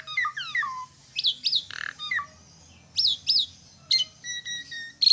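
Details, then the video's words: Asian pied starling song: descending whistled slurs, paired sharp upslurred whistles repeated twice, a harsh rasping burst, then thinner whistled notes. "Jalak Suren Gacor"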